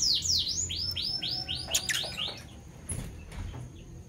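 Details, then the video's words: Morning chirping from a pair of Fischer's lovebirds, parblue violet and parblue turquoise: a rapid train of curved, falling high notes that fades out, then a few scattered clicks and soft noises. "Lovebird Chirping Sounds - Parblue Violet Fischer & Parblue Torquoise Fischer"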